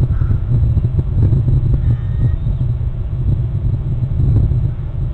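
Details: A loud, low rumble like engine or wind buffeting runs through the whole recording, with no animal call audible.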